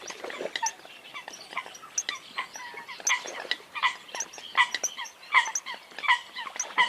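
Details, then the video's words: Several Eurasian coots chattering at once: a dense, restless mix of short nasal squeaks and yelps, louder bursts coming roughly once a second, the calls crowding over each other. "tiếng sâm cầm"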